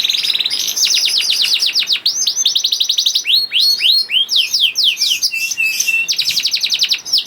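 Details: Young canary in full song, used to prompt hard-to-sing canaries: quick descending sweeps repeated several times a second, slower looping swoops, chattering middle phrase, then another fast sweep series.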